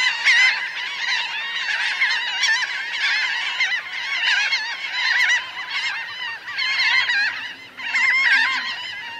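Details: Laughing gull flock of roughly 1000 birds on the ground and in the air, recorded at close range: crowded, yelping nasal calls swell and dip in waves, with a faint low hum beneath.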